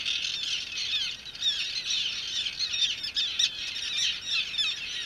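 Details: Great Gull Island common tern colony, adults being captured at their nests: a continuous wall of shrill, grating calls from many terns with no pauses.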